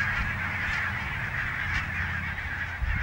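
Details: A large gathering of barnacle geese at Niittylahti, Savonlinna, recorded 5 October 2017, giving an unbroken wall of overlapping barking honks, with a steady low rumble of wind beneath.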